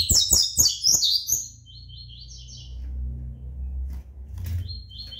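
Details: A five-month-old double-collared seedeater gives a quick burst of bright, high twittering notes, then a softer run of short thin notes, over a low background hum.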